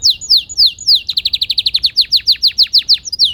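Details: Canary song made of quick descending whistled sweeps, then a rapid run of short repeated notes, slowing into spaced downward slurred chirps.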